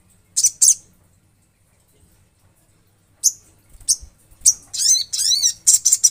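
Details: Olive-backed sunbird with a pair of sharp high chips, a long pause, then scattered single notes building into a quick sequence of thin, wavering slurred whistles and chips.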